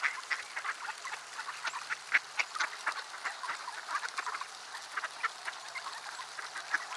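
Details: Ducks massed in the cold at Sainte-Adele, Quebec, on a December afternoon at -3°C; loud, busy chorus of sharp quacks and raspy notes, overlapping constantly with a few strong nearby calls.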